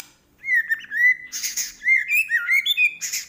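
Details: Medan white-rumped shama in full song: clear steady whistles and warbled notes broken by harsh noisy bursts, phrases flowing almost without pause.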